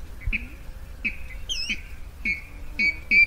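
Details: Rail used as a lure for netting at night, 2020: a series of clear, downslurred whistled notes about every half second, the last ones louder, over steady low rumbling background noise.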